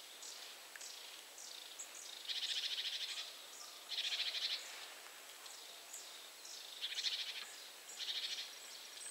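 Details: Eurasian nuthatch in central Poland, grooming in a tree and calling to another nuthatch in a different tree, gives four quick bursts of rapid, high piping notes about two seconds apart, with faint thin chips from other small birds throughout.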